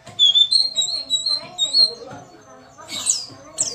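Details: Lure sound of a female white-eye to make reluctant males sing: wavering high whistled notes in a quick series, ending with a couple of harsh buzzy chirps, low murmur underneath.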